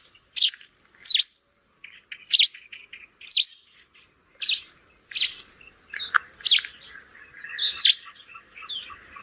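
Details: Sparrow chirping in rainy weather: separate sharp, downward-sweeping chirps come in clusters about once a second, with a few thin high whistled notes between them against quiet background.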